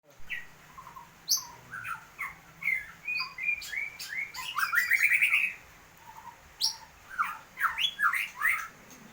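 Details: White-rumped shama singing vigorously with an unusual song: varied whistles, chirps and quick trills in short phrases, one rising rapid series in the middle, separated by brief pauses, with a faint low hum behind.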